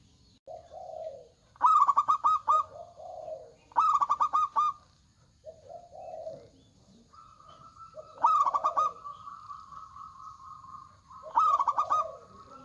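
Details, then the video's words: Local zebra dove with a big voice singing steadily. Low warbling coos give way to rapid stuttering clicks, and a long even cooing note is held before another clicking burst. "PERKUTUT LOKAL GACOR Suara Besar"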